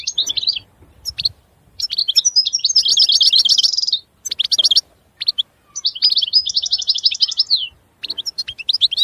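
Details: Goldfinch singing in short bursts: sharp single notes, then rapid tinkling trills and chattering phrases separated by brief silences, in a quiet setting.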